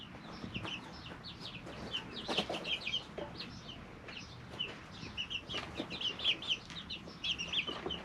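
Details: Three-week-old chicks in their brooder chirping in bursts of high, bent peeps, several birds at once, with scratching and tapping sounds between.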